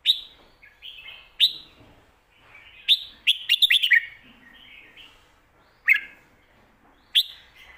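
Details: Song of a caged Red-whiskered bulbul in a full, fast-paced style intended for teaching young birds: loud, clipped whistled notes scattered every second or two, with a tight run of rapid notes in the middle and soft warbles between.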